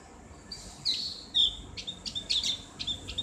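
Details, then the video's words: Ngriwik song of a Javan grey-throated white-eye for bird therapy: a few high slurred whistles, then a quiet series of short sharp chips and brief twitters. "terapi ngriwik buat burung opior jawa/cak gentong | suara ngeplong"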